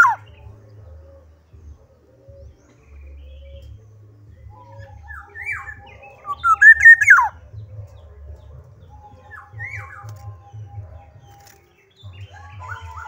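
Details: Black-naped oriole singing: scattered soft whistles, then one loud, mellow, rising phrase that ends in a falling slur, followed by quieter notes over a constant low hum.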